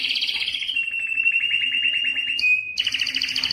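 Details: Belgian canary male in breeding song to stir females: a continuous rolling trill with repeated pulses, a brief pure whistle and short silence, then the trill resumes, full and buzzy.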